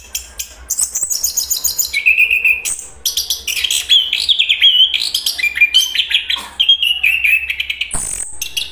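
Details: Chestnut-capped thrush, called anis kembang in Indonesia, a forest songbird of Southeast Asia, delivering a long, varied song of sharp high chirps, sweeter mid-pitched warbled whistles and rapid trills, ending with a loud harsh note.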